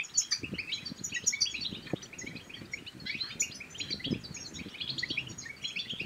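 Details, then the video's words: European goldfinch song played to stimulate other goldfinches to sing and to draw a female to mate: dense, fast, liquid twittering and tinkling trills running almost without pause, with scattered low knocks underneath. "بتبتات الحسون بتبتة تنطق اي حسون كان صامت سيغرد بتأكيد"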